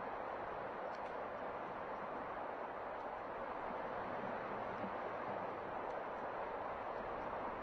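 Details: Steady, loud rushing noise like strong wind or surf fills the recording with no clear animal calls.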